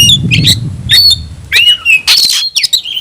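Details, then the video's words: Caged oriental magpie-robin of the 'tayoraky' variant giving a short burst of harsh squawky notes and clear whistles, with a low rumbling noise beneath at the start. "kacer rasa tayoraky varian baru‼️bikin suara kicau burung Kacer gacor dan ngotot buka ekor"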